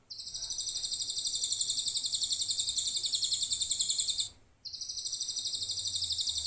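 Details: Lovebird song played as an MP3 example for song-tutoring a shrike (cendet): a shrill, continuous chattering trill of rapid high-pitched pulses, about four a second, with one brief break.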